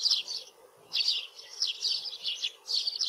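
Eurasian tree sparrow giving bursts of harsh, high chirps in quick runs, each lasting about half a second, with brief pauses between.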